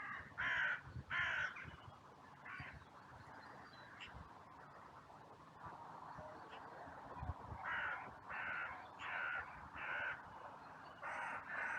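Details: After a brief fight between two crows, a cemetery crowd of crows erupts in outcry as others rush in from all directions, recorded by trail camera on a sunny day. Harsh caws come in irregular bursts and runs throughout, over a murmur of background calling.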